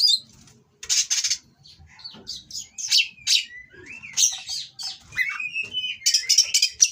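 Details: Oriental magpie-robin in mating condition from a breeding farm, singing coarse, provocative phrases: harsh rasping bursts mixed with sliding whistles and quick chirps, with quiet pauses between phrases.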